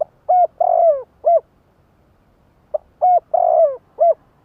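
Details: Lure spotted dove giving its cooing phrase to attract wild doves: two short hoots, a long wavering falling coo, then a final short note, the phrase repeated twice with clean silence between.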